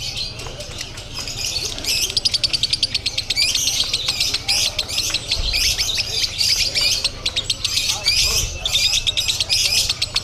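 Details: Lovebird singing konslet-style at a bird contest in Bandung, Indonesia, a continuous shrill twittering of rapid, buzzy notes that barely pauses for ten seconds, with low hum and distant voices.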